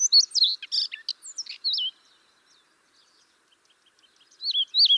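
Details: Siberian rubythroat song used as a lure for trapping birds: a quick burst of high, twisting whistles and sharp chirps lasting about two seconds, a pause, then two clear, wavy whistled notes at the end.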